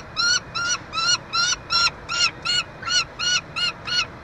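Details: Peregrine falcon at a nest box on the University of Montreal campus, Quebec, Canada, 22 June 2023, during chick feeding. A steady series of harsh, harmonic, slightly arched calls, about two and a half per second, over faint background hiss.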